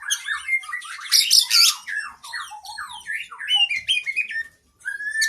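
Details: Oriental magpie-robin in long 'isian' master song: fast series of varied slurred whistles, upslurs and downslurs, broken by a loud scratchy three-part burst and a short pause before a final sweep.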